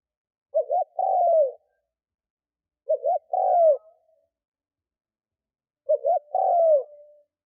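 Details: Caged lure spotted dove cooing to attract wild doves. Each phrase has two quick hooked notes and a drawn-out, falling, rolled coo. Three phrases come roughly every three seconds against a silent background.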